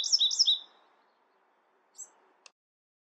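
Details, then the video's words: Bewick's wren giving a short burst of high, buzzy downslurred notes in quick succession, then near silence broken by a brief chip and a click. "Beautiful Bewick's Wren Songs |Calling | Singing!"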